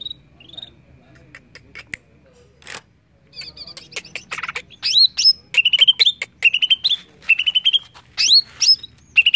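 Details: Greater green leafbird singing, meant to trigger song in other birds. It begins quiet with faint ticks and a couple of soft whistles, then builds into rapid stuttering note runs and rising whistles.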